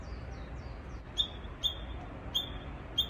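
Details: ['Japanese bush warbler singing oddly, possibly an immature bird practising: four short, sharp high notes, each opening with a quick downward flick, spaced about every half second to one second, over low background rumble.']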